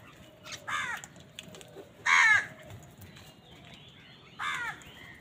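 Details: Crows heard on a winter morning while fighting for food: three separate harsh caws spaced over about four seconds, the middle one loudest and raspiest, against a quiet outdoor background.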